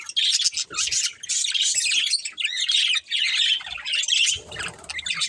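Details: A breeding pair of colourful budgerigars chirping and singing: dense, continuous high scratchy warble with squawky bursts in rapid bouts, briefly pausing between phrases, with a faint low rumble near the end.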